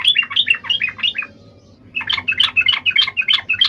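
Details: Yellow-vented bulbul fighting song intended to make other bulbuls reply: a run of quick, slurred warbling notes, a pause of under a second, then a second lively bubbly phrase, with faint low hum behind.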